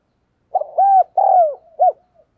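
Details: Decoy spotted dove cooing hard to provoke and excite other doves: one clear low phrase of rounded, slurred hooting notes, two longer arched coos followed by a short final note, in silence.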